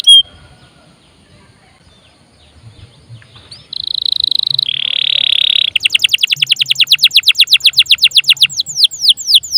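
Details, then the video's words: Canary song used to prompt other birds to sing: after a quiet start, a high steady buzzing trill, then a fast run of repeated sweeping notes, around four per second, all very high-pitched. "PANCINGAN KENARI GACOR||bisa juga buat master burung lain"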